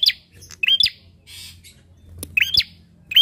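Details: Bar-winged prinia calling as a lure to prompt other birds to sing: a few shrill, rising chip notes, an early pair, a short gap, then two more, with soft hiss and low hum behind.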